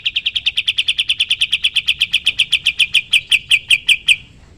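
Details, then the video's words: Sooty-headed bulbul song used as a training recording for other songbirds: a fast, even string of about thirty sharp, high chattering notes lasting over four seconds, fading slightly towards the end, with faint low hum beneath. "Masteran burung kapas tembak gacor"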